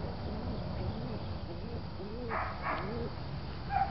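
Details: Pigeons dancing while cooing: low, soft, rounded coos repeat through the recording, rising and falling in short arches. A dog barks twice in the middle, and there is steady background rumble.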